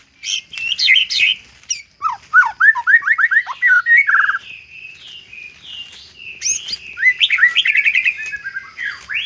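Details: Isian-style song of a white-rumped shama: a sharp opening note, then a quick run of rising whistled slurs, a burry note, soft warbling passages, and a further series of bright upward-sweeping whistles.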